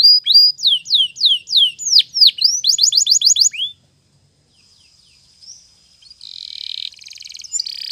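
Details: Spanish Timbrado canary singing a morning training song: repeated high downswept whistles, then a quick rattling trill, falling silent before a faint buzzy passage.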